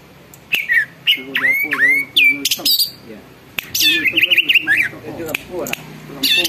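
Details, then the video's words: Loud greater green leafbird song, used to goad other birds into singing and agitation; sharp swooping whistled notes in quick succession, then a rapid warbled trill, with a low voice-like murmur beneath. "cucak ijo gacor bikin burung lain ikut BUNYI dan EMOSI"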